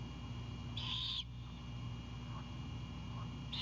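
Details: Owlet of a great horned owl greeting its mother returning with an Anhinga, Savannah nest cam, night of 4/7/22: one breathy rasping screech, a faint soft note or two, then another screech starting at the end; low hum beneath.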